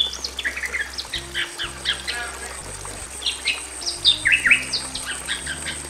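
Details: Male and female Bali mynas calling in a simple aviary: soft scattered chirps building to a cluster of loud, clear whistled notes near the end, with a persistent high tone in the background.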